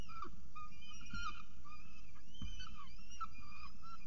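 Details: Peregrine falcons in Orange at their nest during the first feeding of the day, 6:36 am, 21 October 2018. Thin wavering whistles with brief sharp upward flicks recur throughout, against heavy low rumble and occasional thumps.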